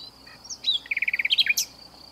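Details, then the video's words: Nightingale hidden in a bush in southern France, singing continuously for almost two hours: a short phrase of rapid, evenly spaced throbbing notes, about a dozen in quick succession, ending in a sharp downward flourish. "Nightingale Heard In South Of France"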